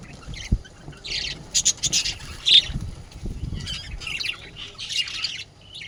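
Budgerigars chatter in quick, scratchy bursts of high squawks and chirps.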